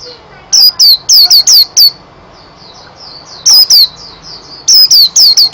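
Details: Bursts of loud, piercing downslurred whistles from a white-eye, coming in short runs separated by soft background twittering.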